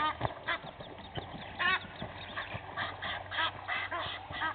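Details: Egyptian geese, two families fighting at Gowrie dam waterhole, Djuma Game Reserve, Sabi Sand, South Africa, early morning in April; harsh arched honks and quacks come in irregular bursts, with a steady low hum in the background.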